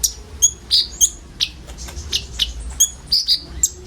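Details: Common ioras in a group giving the filler song used as a sunbird lure: separate bright, high chirps and brief whistled slurs spaced a few tenths of a second apart.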